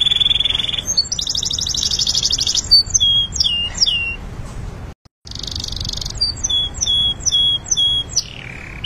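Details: Canary singing a training song, opening with a steady trill, then a dense buzzy rattle, a run of quick descending chirps, a brief silent break and another rattling trill followed by repeated bright whistled notes.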